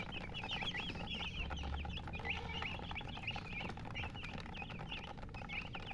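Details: Colored hens chirping: lively, high, up-and-down peeps repeated in quick bursts by several birds, with occasional bumps and a low hum in the background.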